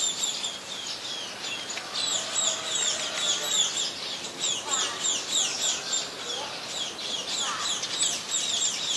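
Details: Scaly-breasted munia in Ubon Ratchathani, Thailand, 7 January 2020, giving a dense, rapid stream of high, thin chirps, several notes per second, as if from a group of birds.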